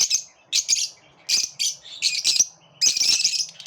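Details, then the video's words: A flock of lovebirds in eager chorus: bursts of high, raspy squeaking chatter alternating with brief quiet gaps. "Love birds sing with collective enthusiasm"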